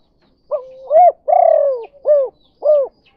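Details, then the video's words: Lure call of a spotted dove, locally tekukur or derkuku, kuk 2 style for attracting doves: one phrase of a rising coo, a long downslurred purring note, then two short arched coos. "Suara Burung Tekukur Derkuku Kuk 2"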